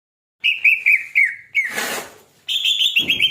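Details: Greater green leafbird singing: a run of clear whistled notes held level, then a short noisy rasping burst, followed by brighter, higher warbled whistles.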